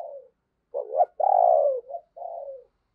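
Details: Captive lure spotted dove cooing to attract wild doves: a soft falling note, a brief rising call, then one long strong throaty coo and a gentler trailing coo.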